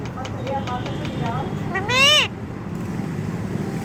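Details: Talking parrot, said to speak Tamil, producing a few nasal, speech-like syllables followed by a loud, harmonic-rich arched squawk that rises then falls, over steady low traffic-like rumble.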